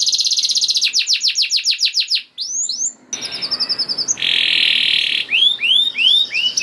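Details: Canary in full gacor song, a pancingan recording for coaxing silent canaries to sing: quick repeated trill, falling slurs, a harsh buzzy segment and looping rising whistles.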